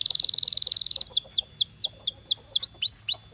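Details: Champion canary in song. A very fast, bright trill of evenly repeated notes gives way to a series of about eight slower, high whistled notes, each sweeping steeply downward.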